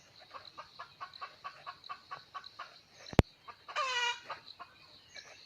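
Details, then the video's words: Rhythmic soft clucks repeat about every quarter second, a sharp click cuts in, then a wild red junglefowl rooster crows once, short and strongly harmonic. A hen was used as a lure; recorded 17 March 2020. "Nqa poj mu cuab tu lau qaib qus qua zoo tshaj plaw lisไก่ป่าขันม่วน"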